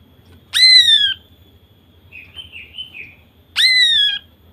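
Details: Female greater green leafbird calling to provoke males: two loud ringing downslurred whistles about three seconds apart, with a soft warbled phrase between them.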